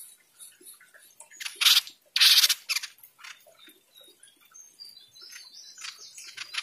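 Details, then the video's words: A jenggot bird gives two loud, harsh, hissing bursts of high chirps, with scattered thin twitters and faint squeaks before and after. "Jenggot Mini TELER"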